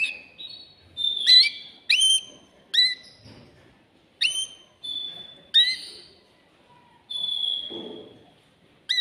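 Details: Male canary in a cage, agitated and singing to rouse a female for breeding: a series of separate bright notes, some sweeping sharply downward, others held flat and high, with brief gaps between them.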